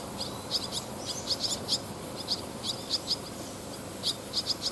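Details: Barn swallow family with fledglings in flight training, gathered on power lines beside a rice-paddy lane on 18 August 2020; short high chirps come in quick clusters, a dozen or more, over steady background hiss.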